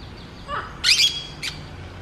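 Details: Green parakeets at breakfast time in Colombia give two short, harsh, screechy squawks, the first about a quarter second long and the second briefer, over a faint low background rumble.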